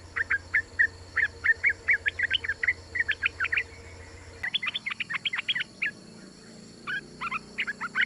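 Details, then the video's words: Calling female Yellow-vented Bulbul seeking a male: fast, continuous strings of crisp chirping notes, dense and rhythmic, briefly broken, then resuming in quick clusters. A low hum is present in the first half. "Trucuk Betina MEMANGGIL JANTAN ‼️Suara Trucukan BETINA ini Mampu Untuk Pancingan Trucuk Agar Bunyi"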